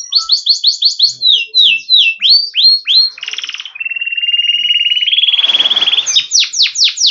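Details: Yellow canary singing a varied song: rapid repeated downslurred whistles, a buzzy trill, a long sustained rolling trill, then fast descending sweeps at the end.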